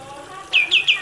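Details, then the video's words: A kapas tembak bulbul, in a master recording for training cage birds, gives four quick, bright whistled notes, each sliding downward, in rapid succession over about half a second; faint background hum. "MASTERAN KAPAS TEMBAK"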